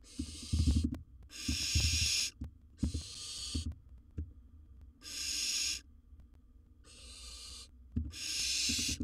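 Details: Wild barn owl inside a nest box while swallowing large prey gives six rasping, noisy hisses in steady succession, each roughly a second long, mixed with soft thumps and scuffling from movement in the box.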